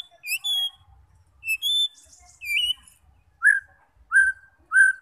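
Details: Song of a white-rumped shama, meant to make fighter birds sing and show their repertoire: spaced clear whistled phrases, a few rising, followed by three evenly repeated lower slurred whistles about a half second apart.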